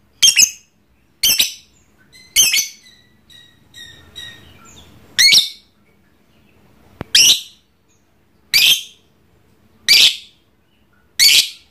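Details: Caged pet lovebird, trondol, giving its ngekek call: harsh, shrill bursts of fast chatter roughly every 1.2 seconds, with a short run of thin chirps midway. The room is otherwise quiet.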